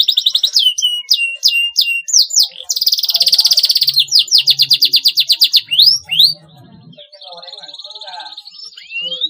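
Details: Canary song meant to stimulate young canaries to sing in a lively gacor fighter style: sweeping upslurred notes, then a long buzzy high trill, more repeated slurs, and a softer, thinner twittering phrase at the end.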